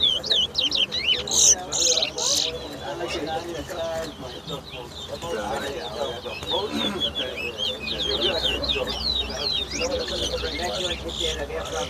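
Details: Large-billed Seed Finch (towa towa) in a 2022 bird race at the National Stadium bird ground, Guyana: a few loud buzzy bursts, then a long stretch of thin twittering notes amid persistent crowd talk and background noise.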